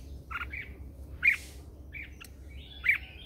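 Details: Red-whiskered bulbul lure bird in morning singing practice: short slurred whistled notes, a louder rising phrase near one second and another near three seconds, over a steady low background noise.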